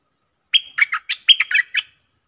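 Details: Bulbul in a singing contest, recorded 24 October 2021. A single fluty, bubbling phrase of about seven quick notes that drop and climb in pitch, lasting roughly a second and a half, with no other sounds.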